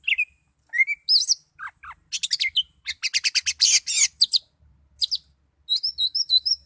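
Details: Oriental magpie-robin in a highly agitated state singing a varied, rapid song: rising whistles and slurred notes, then dense bursts of sharp clipped chirps and buzzy trills, repeated phrases in quick succession.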